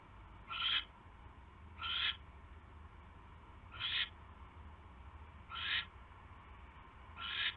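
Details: Barn owl at the nest in the evening of January 27, 2016, while a mouse is brought in: five rasping, breathy screeches, each about a quarter second long, spaced about every one and a half seconds, over a constant low background hum.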